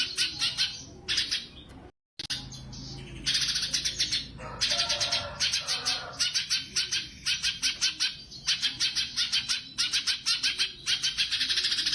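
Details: Sumatran leafbird singing energetically in the 'tembakan' style prized for competition: rapid, shrill, stuttering bursts of high chirps, short rhythmic phrases running almost without a break, one brief cut near the start, with faint low background hum.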